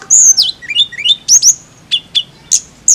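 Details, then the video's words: Flycatcher song of clear whistled notes: a falling slur, short rising phrases, then single sharp downward-sliding notes repeated every few tenths of a second. "TLEDEKAN AUTO BUNYI DENGAR INI"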